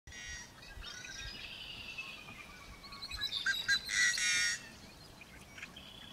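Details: Sora singing its "whinny" call northwest of Silton, Saskatchewan, along Highway 322 on June 13, 2019: a rapid run of high, buzzy notes sliding gradually downward, swelling loudest near the end, over steady background noise.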